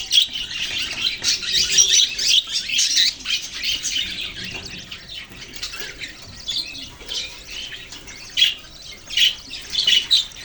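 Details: A flock of budgerigars, Australian parrots, chirping and squawking. Sharp high notes stand out in louder clusters against constant softer chatter.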